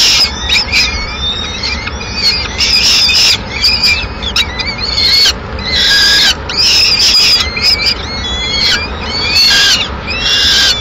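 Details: At a Madrid peregrine falcon nest, the female comes in with leftover pigeon at mid-morning; a steady run of shrill, tonal whining cries repeats roughly every second, with hissy rasping between the notes.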